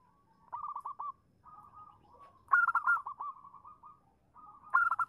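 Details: Female zebra dove calling a male, used as a lure to draw a reply: rolling, trilled cooing phrases around a low, mellow pitch, each a rapid burst of stuttered notes, repeated three times with brief pauses.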